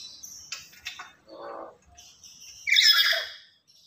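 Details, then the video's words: A loud, chattering lory used to lure and tutor other lories gives scattered soft chirps and a buzzy trill, then one strong, harsh squawk near the end. "Inilah Burung Nuri Yang Paling Cerewet Dan Lantang"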